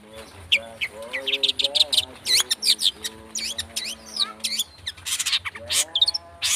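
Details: Fast speed rapet song of long-tailed shrike, a lure to draw out singing: tumbling sweeping high whistles and chips, lower nasal harmonic phrases beneath, and a harsh noisy burst toward the end.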